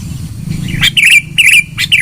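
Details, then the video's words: Sooty-headed bulbul song for use as a lure: three quick bubbly, warbled phrases, each led by a sharp high note, over faint low hum. "Suara Pikat Burung KUTILANG GACOR.... suara keras 100% full bahan ikutan teler"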